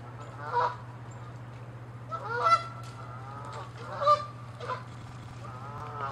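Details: Canada geese fighting each other on water and land, chasing and attacking in angry territorial clashes; loud nasal honks sound in bursts, some doubled, about every one to two seconds, over a steady low hum.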